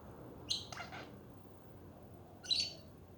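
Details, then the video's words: Budgie chatter made of two short, sharp chirps a couple of seconds apart, plus a brief rustling scratch after the first chirp. "Hours of chatting budgies"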